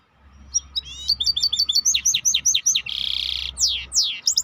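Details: Maestro bird singing a lively varied phrase: loud, sharply falling whistled chirps in quick succession, a brief buzzy rattle, then more sweeping notes, over a steady low background hum.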